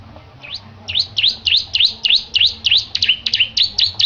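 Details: A Bar-winged prinia, a Petarukan bird in full voice and trained for song contests, gives a fast run of high, V-shaped chirping notes, about four each second, steady and loud throughout.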